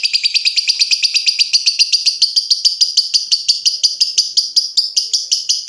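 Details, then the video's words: Lovebird ngekek trill, used as a tutor sound for other lovebirds: an even, rapid string of high, buzzy clicking notes, about six per second, steady throughout. "SUARA BURUNG LOVEBIRD NGETIK NGEKEK PANJANG COCOK UNTUK MASTERAN"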